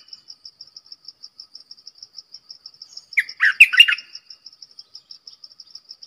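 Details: Decoy Streak-eared bulbul used to attract wild birds and teach young birds to sing: one quick, chattering, bubbly phrase mid-way, set against a constant fast train of high insect pulses.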